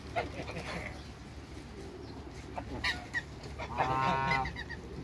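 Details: African and Toulouse geese with a new hybrid in a backyard; scattered short calls, then a loud harmonic honk near the end over steady background noise.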